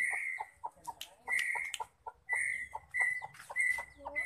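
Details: Female white-rumped shama, a sound meant to excite male shamas into song: steady whistled notes repeated at the same pitch roughly every half second, mixed with dry clicks and short chips.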